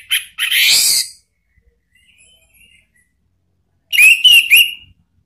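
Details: Lure song of an orange-headed thrush, meant to get a pet bird replying: a loud rasping phrase, a long silence, then a quick run of three bright whistled notes with harsh overtones.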